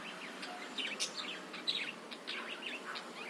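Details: Budgerigar chatter meant to spur other birds into song: a brief, busy run of twisting chirps and squeaky warbled notes, closely packed.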